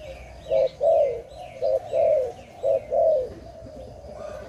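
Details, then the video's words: Dove heard during a bird-trapping outing: low, mellow cooing in pairs of notes, a short coo followed by a longer, falling one, repeated three times over a faint, low rumble. "Sound of dove"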